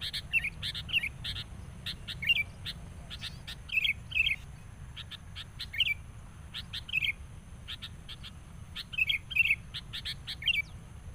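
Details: Agitated sooty-headed bulbul, a decoy bird used for trapping, facing a rival. Quick bubbly warbled phrases repeat every second or two among dense, rapid, high chirps, with a low rumbling hum throughout.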